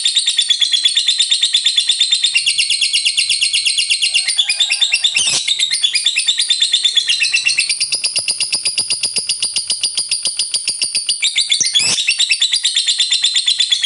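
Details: Lovebird's extended ngekek song, used to trigger rival lovebirds to sing along: a relentless high rattling trill with shifting squeaky notes, broken by two short sharp clicks.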